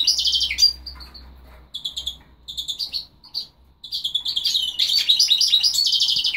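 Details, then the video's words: A goldfinch × linnet hybrid (Carduelis carduelis × Carduelis cannabina) sings a high, rapid twittering song of tinkling notes and buzzy trills in bursts, with a faint low hum underneath. "carduelis carduelis x carduelis cannabina"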